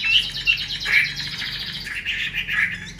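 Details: Captive hen Chinese hwamei giving 'xùy' and 'te dụ' calls to excite males; sharp whistled chips, then a fast buzzy rattle and harsh, rising rasps.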